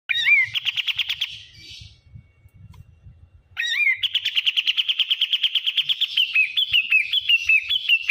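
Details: Bulbul known locally as kapas tembak, giving a noisy call: a brief upslurred note, then a fast rattling series of rapid pulsed high notes, pausing and repeating with a long steady chattering trill, each note stepping slightly up and down near the end.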